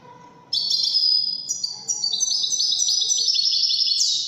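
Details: European goldfinch in Widani song style, pouring out a continuous rapid chatter of high tinkling notes and buzzy trills that climbs toward the end. Faint low background noise.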